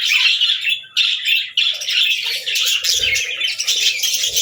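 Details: Budgerigars singing in continuous busy warbling, rapid scratchy chirps and twittering notes overlapping without a break, several birds calling together.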